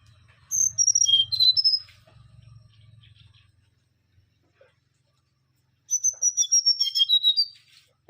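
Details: Mangrove whistler singing: two bursts of loud, clear whistled notes, each phrase a quick run of about eight to ten notes stepping downward in pitch, separated by a few seconds of silence; a faint low hum underneath early on.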